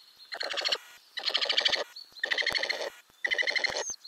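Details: Inside a Ural owl nest box holding growing owlets, May 2020: four rasping, finely pulsed rattles, each lasting over half a second, repeated at steady intervals with brief silences between.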